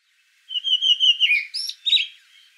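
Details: A Karoo thrush sings in a garden in Johannesburg: one clear whistled phrase of rapid fluty notes, then a few richer, warbling notes that rise and fall, with no other sounds.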